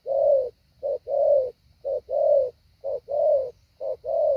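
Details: Decoy spotted dove in Vietnam, trained to call down wild doves. Its soft, throaty coo is repeated in a regular short-then-long pattern, about four short-long pairs in quick succession, with a faint background hiss.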